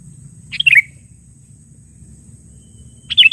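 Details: Sooty-headed bulbul used to lure and challenge rivals, giving a quick bubbly phrase of descending notes, then a long pause before a second bright phrase starts, over a low background hum.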